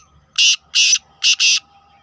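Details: Black francolin call of four loud, harsh, scratchy notes, the last two run close together, over a near-silent background.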